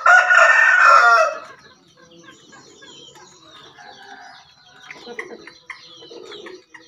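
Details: Captive Javan green junglefowl gives one short, hoarse, screechy crow lasting about a second, followed by soft scattered clucks and faint chirps; used as a master call to prompt or lure green junglefowl.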